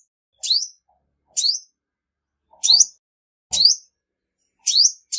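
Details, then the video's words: Widely spaced high chirps from a female olive-backed sunbird, about one per second, with soft low thumps under two of the notes. The recording is otherwise free of noise. "Tiếng chim Hút mật 5 màu mái không tạp âm | Olive-backed Sunbird Female"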